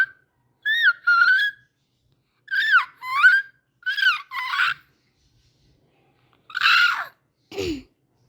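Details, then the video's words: A parrot gives five bursts of harsh, whistly squawks with bending pitch, spaced over several seconds in a quiet room. "my parrot noise"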